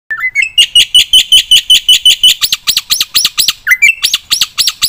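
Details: Black-winged myna, a kept bird, singing energetically with a full repertoire, used for stimulating and tutoring other birds. Opens with rising whistled slurs, then a fast run of loud, sharp arched notes, about three per second, with a brief whistled interlude.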